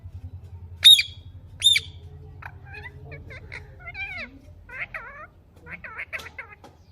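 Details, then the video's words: Ringneck parakeets, blue and Kiwi colour forms, giving natural talking sounds: two sharp, loud screeches near the start, then a run of quick warbling, chattering notes that bend up and down, with a low hum underneath. "Ringneck parrot Natural talking sounds"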